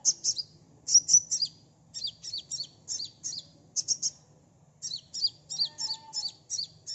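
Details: Sunbird lure for quick response in ngeplong style: rapid bursts of twittering high chips in twos and threes, almost continuous, with a brief pause near the middle and a faint low hum.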